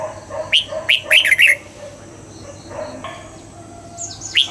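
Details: Red-whiskered bulbul in a cage, singing at dawn during training for wild double-note song: several sharp whistles leading into a fast warbled phrase, with a low steady hum and faint distant calls behind.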